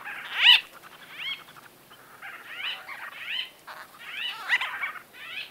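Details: White-fronted bee-eaters in close-up conversation: a loud arched, nasal call opens, followed by softer, rolling, harmonic-rich calls at irregular intervals over about five seconds, with quiet background hiss.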